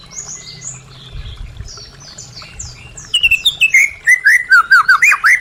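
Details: White-rumped shama song played to prompt silent caged birds to sing: after faint high notes, a loud rapid run of clear whistled, down-slurred and looping phrases, about two per second.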